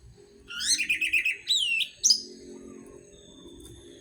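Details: Orange-headed thrush singing in a lure recording meant to stimulate caged birds: a quick run of repeated chattering notes, then a loud sweeping whistled slur and a sharp high note, over low room noise.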